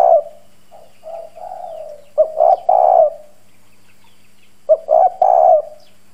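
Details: Decoy spotted dove with a hoarse, strong 'đồng' style voice, cooing to provoke wild doves: low hollow coo phrases, a soft opening note then two or three louder husky notes, repeated twice with pauses.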